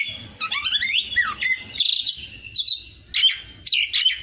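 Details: Kacer, the Oriental magpie-robin, in tutoring song: rising whistle slides and a steady high tone, with warbled notes and a faint low rumbling underneath.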